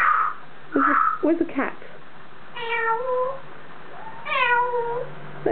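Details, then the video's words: Pet African grey parrot chatting on top of its cage indoors: a few short speech-like babbles, then two drawn-out, mewing, cat-like wavering whistles with a falling-then-rising shape. A faint low hum runs underneath. "The African Grey Parrot. Taking On Top Of His Cage!"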